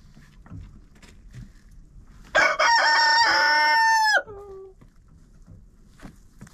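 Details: Chicken crowing in a coop with a GoPro set inside: after soft rustling, a sudden loud crow with a broken opening and a sustained raspy note of nearly two seconds ends in a falling, fading tail; faint scratching follows.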